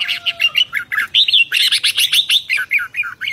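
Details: A lively red-whiskered bulbul, recorded in 2023, sings fast, bright chirping notes in quick bursts of about four per second, with short gaps between runs. A faint electronic beep sounds at the start.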